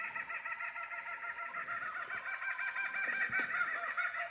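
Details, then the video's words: Laughing kookaburras in a loud, raucous chorus of rapid, rolling cackles, the hooting notes tumbling over each other at a fast, uneven pace. "So what you just heard then was the laughing kookaburras laugh."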